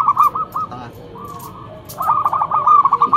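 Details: Loud local zebra dove used as a lure to make other doves answer, delivering quick, bubbling coo phrases of closely spaced notes, pausing briefly before a longer rolling series.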